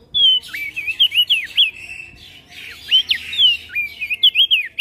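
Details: Javan grey-throated white-eye singing loudly in ngeplong style, trading phrases with other birds: high whistled notes that rise and drop in clusters. Dense twittering and chatter fill the background throughout.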